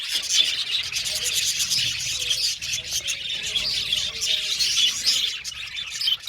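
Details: Many budgerigars in an aviary chirping together, dense high warbling chatter running continuously, with faint low tones in the background.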